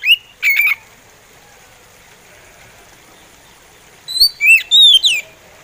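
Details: Slow song from an oriental magpie robin: a short burst of rising and falling whistles, a long pause with faint background hiss, then a second phrase of four quick sweeping whistled notes.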